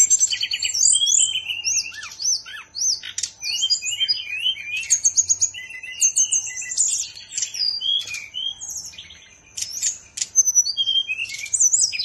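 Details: Bali songbird kept by its owner pours out a long, energetic medley of high whistled notes, sharp clicks, buzzy chatter and down-slurred phrases, barely pausing, with a quiet constant hum in the background.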